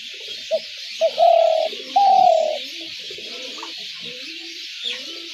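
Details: Trap-lure call of a spotted dove: one brief coo and a second clipped note, followed by two sustained low rolling coos about a second apart. Soft scattered sounds and hiss follow.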